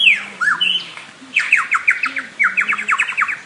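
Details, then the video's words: Lyrebird calling with a few clear downslurred whistles followed by fast runs of bright, repeated chopping notes in quick rhythmic bursts. "LyreBird Calling"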